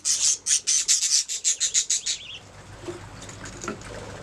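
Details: Budgies chirping: a run of about a dozen sharp high chirps at a steady pace for two seconds, then quieter scattered twitters over a low background hum.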